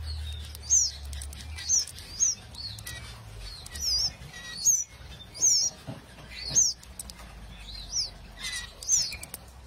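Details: Repeated thin, high-pitched chirps from canaries, about ten quick sweeping notes spread over several seconds, with light clicks and a low background hum.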